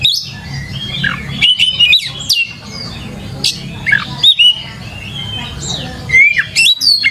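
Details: Captive white-rumped shama used as a lure to prompt other birds to answer, singing varied whistled phrases with sharp rising and falling sweeps, interspersed with harsh clicks and short bursts, over a steady low hum.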